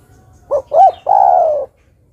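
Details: Female zebra dove calling the male: two short rising-falling coos followed by a long, slightly descending rolled coo with a purring texture, all in a low mellow pitch, one phrase in near silence.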